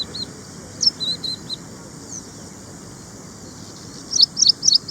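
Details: Ashy prinia (ashy wren-lark) recorded in India: a few short high notes early on, then a quick burst of four sharp, high chirps repeated at a rapid pace near the end; faint other bird notes in between.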